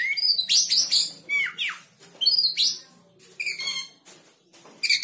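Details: Oriental magpie-robin, stirred up and joining in with another bird's sound, gives loud shrill whistled notes and rapid downward-sweeping chirps in tight bursts, separated by short pauses, with faint low background hum.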